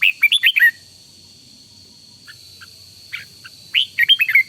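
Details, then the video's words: Decoy red-whiskered bulbul practising fiery morning song delivers a fast run of four or five cheerful whistled notes, a few faint chips in the pause, then another similar rolling phrase, with a steady high tone in the background. "Cách luyện chào mào mồi căng lửa, chào mào, bird, luyện giọng chào mào hót buổi sáng"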